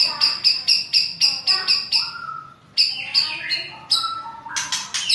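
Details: White-rumped shama singing when provoked by a rival, in the style called ngerol kasar and nembak rapat: rapid repeated harsh high notes about twice a second, then slurred whistles and a rising series of sharp notes.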